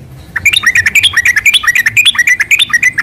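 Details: Yellow-vented bulbul pouring out a dense, bubbly chatter of slurred notes rising and falling, part of a long rolling 'ropel' song used to get other bulbuls to reply.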